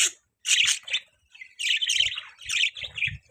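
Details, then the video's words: Pet budgerigars give clustered buzzy chirps and warbling chatter in three bursts separated by short pauses, with faint low bumps. "Budgies Chirping sound"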